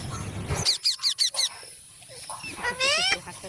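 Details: Parrot giving a quick series of four sharp high notes, then a long harmonic squawk that rises steeply, over a low rumble at the start.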